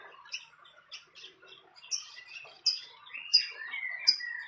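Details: Fantail at its nest in the wild, giving sharp high chirps repeated roughly every second, mixed with lower slurred whistles toward the end, in a quiet setting.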